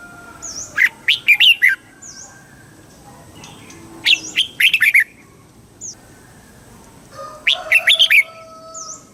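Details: Thai red-whiskered bulbul performing the southern master-pattern song meant to excite birds and tutor young birds: three energetic, chattering whistled phrases roughly every three seconds, separated by quiet gaps with faint distant high chirps.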